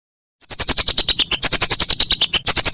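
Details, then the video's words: Master recording of a whistling duck for training songbirds: a fast, even run of shrill whistled notes, about eight per second, some dropping in pitch, lasting a little over two seconds. "Masteran Burung Belibis"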